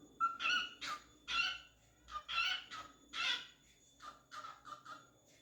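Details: A cockatiel sings, while dancing, a chattering run of bright, warbled whistles and harsh chirps.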